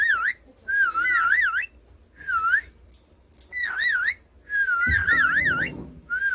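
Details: Pet talking rainbow lorikeet in a whistling duel with a person, indoors: bursts of wavering, warbled whistles that rise and fall rapidly, each lasting about a second with short gaps, plus a brief low thump near the end.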